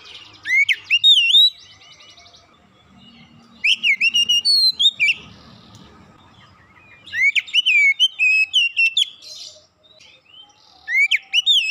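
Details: Oriental magpie-robin singing fast and loud; bursts of rich whistled phrases with sweeping up-and-down slurs and buzzy trills, each burst about two seconds, separated by pauses with faint background noise.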